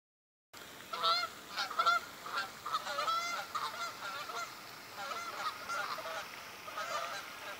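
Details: Geese flying in at sunrise over Glazebrook Park, Godfrey, Illinois, in October 2019: a flock of overlapping nasal honks, loud at first and then a steady chorus of repeated honking.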